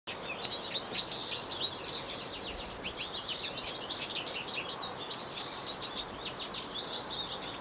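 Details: American goldfinch singing in a yard: a long, run-on stream of high, bright twitters and sweet warbled notes, with a soft background hiss.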